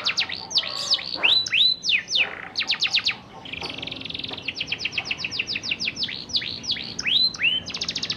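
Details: Canary song in the rolling style, ngerol, played to stimulate young canaries learning to sing. High, fast descending sweeps and chirps repeat in quick series, with a buzzy rolling trill in the middle and further rapid sweeping phrases after it.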